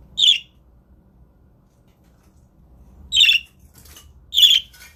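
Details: Pet budgerigars indoors, recorded to get other budgies singing; three loud harsh chirps, one early then two close together after a long pause, with faint rustling and room hum.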